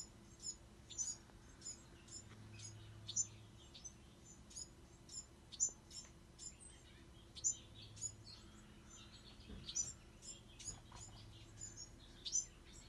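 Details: Several Bewick's wren fledglings calling: sharp, high-pitched tweets repeated about every half second to second in loose clusters, over a faint low background hum.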